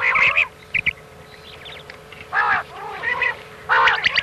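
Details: Common quail giving its 'miankan' meowing call, played for night-time hunting: separate nasal, arching calls, several in a row with gaps between, over a steady electronic hum.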